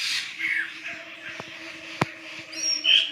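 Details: A wild flock of laughingthrushes in Sumatran forest giving harsh squawking chatter that swells and fades, with a sharp crack midway, a low steady hum and a bright whistled note near the end.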